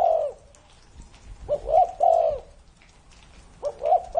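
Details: Spotted dove said to be over 30 years old, cooing in low, soft, hollow phrases, with a rounded coo at the start and a run of linked coos midway and at the end, against a quiet background.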